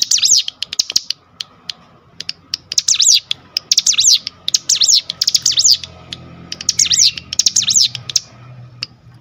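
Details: Cinereous tit singing as a lure for other tits: repeated bursts of fast, high sweeping notes separated by sharp clicks and ticks, with a low background hum throughout.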